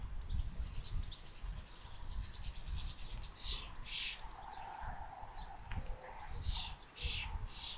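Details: Common buzzard chicks in a solar-powered nest camera at Tiszalök, Hungary, June 8, 2022, two young sharing food: high, slurred, downward calls in short bursts over a steady, rapid insect-like ticking and low rumbling noise.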